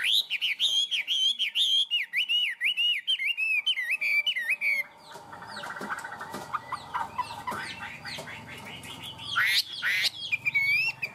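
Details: Tame captive Chinese hwamei singing in high style: a fast run of bouncing, repeated whistled notes for about five seconds, then quieter scattered chatter and a burst of bright whistles near the end.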